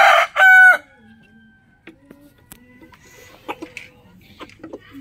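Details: Rooster in the morning ending a crow with a short, bright harmonic burst, after which soft clucks, a faint whistle-like tone and scattered clicks follow.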